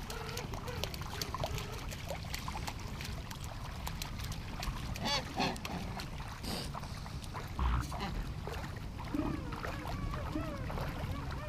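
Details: Colony of king penguins standing in a glacial river at Gold Harbour, South Georgia: many overlapping wavering, trumpeting calls from numerous birds, set against loud rushing, splashing water.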